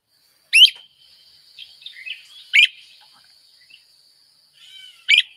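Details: Great Crested Flycatcher (Myiarchus crinitus) in spring gives three loud, rising 'weep' calls about every two seconds, with softer burry notes and a faint rattle between them that resembles a red-headed woodpecker.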